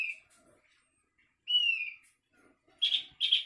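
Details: Asian glossy starling calling strangely: a long drawn-out falling whistle, then two short harsh, buzzy notes close together in a quiet setting.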